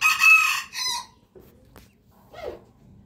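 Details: Rooster crowing in the morning: a loud, harsh, harmonic-rich crow in the first second that breaks off and fades, followed by a few faint scratchy sounds.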